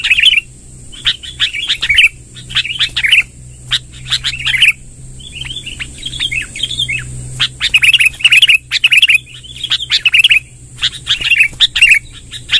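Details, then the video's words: Sooty-headed bulbul delivering its long rolling song, used to attract wild bulbuls: a steady series of short gurgling, warbled phrases repeated roughly every second with brief gaps, over a persistent high-pitched electronic hum. "suara tembakan BURUNG KUTILANG NGEROL PANJANG"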